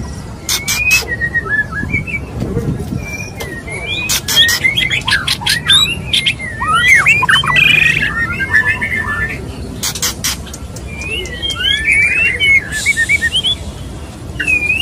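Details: Male white-rumped shama courting a female gives spaced bursts of loud clicks alternating with clusters of sweeping whistled notes and short trills over a longer passage.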